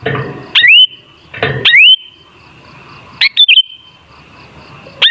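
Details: Sooty-headed bulbul lure song: clear upward-sweeping whistles, some followed by a brief level note, in four phrases with gaps of irregular length and faint low background rumble.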